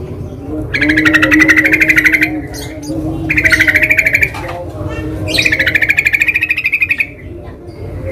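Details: Three long, harsh, buzzy chattering runs from a sooty-headed bulbul in the wild, each lasting one to two seconds, with a steady low hum underneath.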